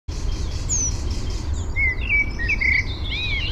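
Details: Eurasian penduline tit collecting nest material for its nest, still only a ring high in a birch, at Fysingen, Uppland, Sweden, recorded with a parabolic microphone: a thin, high, descending whistle over lower chirping from other birds and steady wind rumble.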